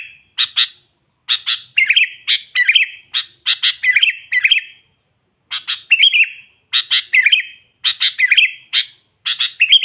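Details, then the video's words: Sooty-headed bulbul calling to wild rivals: grouped harsh chattering notes alternating with short liquid down-slurred warbles, delivered in bursts with short silences between, steady faint high tone in background. "suara burung kutilang gacor memanggil kutilang liar suara asli alami"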